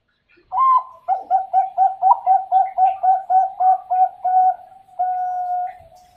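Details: Zebra dove (perkutut) of the Bangkok strain, bred on a bird farm in Pasuruan, East Java, Indonesia, 2021: a run of about a dozen soft, even coos at roughly four per second, closing on one long, steady drawn-out coo; quiet room.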